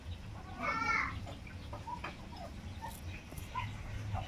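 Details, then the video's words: Tinamou chicks (inhambu-preto and sururina): a brief quavering whistled call, then three soft level single whistles spaced about a second apart over a low background hum. "filhotes de inhambu Preta, Sururina e Inhambu preta"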